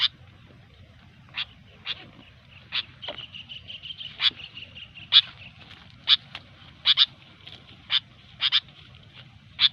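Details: Sooty-headed bulbul in gecor style, a rapid singing used for luring: short sharp notes repeated irregularly, about once a second, with a brief thin trill near the third second and a low background hum.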